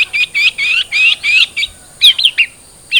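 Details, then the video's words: Long-tailed shrike (cendet trotol) song used to coax a captive bird into singing: a fast series of buzzy rising notes about five per second, a pause, then a few sharp high chirps over a constant high whine. "Pancingan Cendet Trotol Agar Cepat Bunyi"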